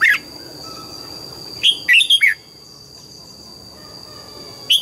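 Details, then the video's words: Red-whiskered bulbul singing in the morning in the double-note mature wild style: a whistled note, a fast three-to-four-note chirpy burst, a long pause, then another note, over a constant high whine. "Luyện giọng chào mào hót sáng, ép chào mào hót âm kép già rừng hay tuyệt!"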